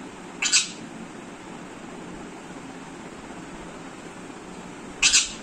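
An Alexandrine parakeet mimics a camera shutter: two brief, sharp, clicking bursts about four and a half seconds apart, over a quiet room hiss.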